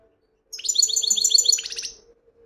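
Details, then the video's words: European goldfinch giving one quick burst of twittering song, about one and a half seconds of rapid, high, jingling notes over a steady faint background hum. "مقنين ويداني"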